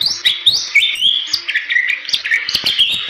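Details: Bali myna, a medium-sized songbird endemic to the forests of western Bali, Indonesia, singing energetically: rapid whistled notes and slurred rising and falling phrases between high and mid pitch, interspersed with sharp clicks.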